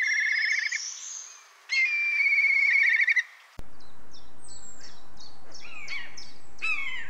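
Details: Red kite (Milvus milvus) giving quavering, wavering whistles in two bursts of about a second each, then sharper, rapid chirping notes over a steady background hiss.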